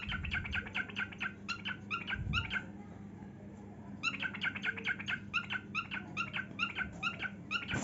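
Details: Dancing pet cockatiel with wings held out in a heart shape, giving rapid repeated chirping notes, then a pause of nearly two seconds before another quick run of bright chirps.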